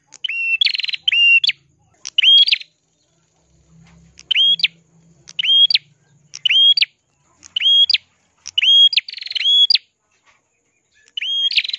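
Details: Ashy prinia singing continuously with a crystal-clear voice, used as a tutor recording for other songbirds: sharp, ringing phrases of a flat whistled tone framed by quick upward flicks, repeated about once a second with short pauses; faint low hum.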